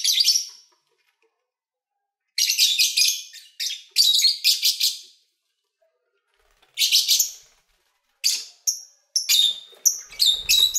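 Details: Pet lovebirds singing during feeding and play; long raspy chatter phrases alternate with pauses, ending in a rapid run of sharp high chips and squeaks, with a faint low knock.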